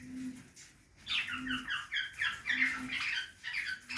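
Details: Budgerigar feeding in a backyard aviary: after a quiet first second, busy warbling chatter of short chirps and squawks fills the upper range, while a low hum-like tone pulses about once a second underneath.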